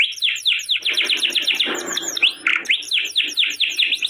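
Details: Canary singing, offered as a tutor song to coax silent or post-molt canaries: fast, even train of sharp descending chirps repeated about twice a second, with a soft rumbling background murmur through the middle.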